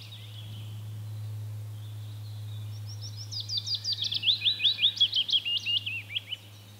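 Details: A willow warbler in Latvia sings a sweet, liquid phrase of about a dozen quick notes that cascade gently downward and fade, over a low steady hum.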